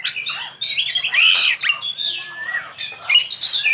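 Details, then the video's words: Oriental magpie-robin (kacer) in lively isian song: dense, varied whistled and warbled phrases with quick pitch slides and buzzy touches, almost without pause. "Ini Die Burung Kacer Isian nya Super mewah"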